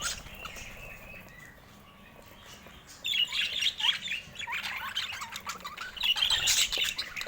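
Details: A quiet opening of faint twitters, then budgerigars burst into loud squeaky chirps and warbling chatter about three seconds in, continuing in lively overlapping bursts.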